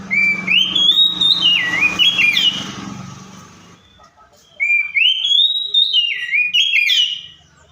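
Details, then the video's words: Oriental magpie-robin mimicking other birds: a whistled phrase rising, wavering, then dropping, sung twice with a pause between, the first over a steady low rumbling noise. "COPSYCHUS SAULARIS SOUNDS LIKE THE WILD MAKES OTHER BIRDS SOUND!"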